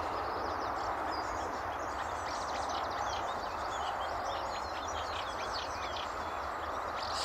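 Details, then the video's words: Eurasian reed warbler singing on an early May 2011 morning at Stotfold Mill Nature Reserve, UK, across the river: a fast, continuous chatter of short high notes under a steady, loud broadband hiss. "Reed Warbler"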